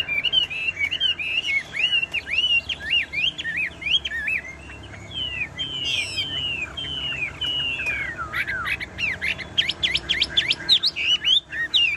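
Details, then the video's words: Tame caged Chinese hwamei singing nonstop: a long run of loud, clear whistled phrases, each a quick rising-and-falling slur, with rapid varied notes and sharp upward sweeps near the end. "Họa mi thuần đét đẳng cấp hót như máy bộ cực đẹp lắc lồng vẫn hót"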